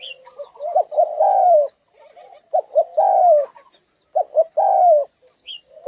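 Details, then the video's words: Husky-voiced Thai spotted dove, its call used to stir males, females and decoy birds; three phrases of two short notes then one long falling coo, with a thin high chirp now and then. "Tiếng chim cu gáy thái giọng khàn gáy gù kích trống mái kích bổi nhanh nổi"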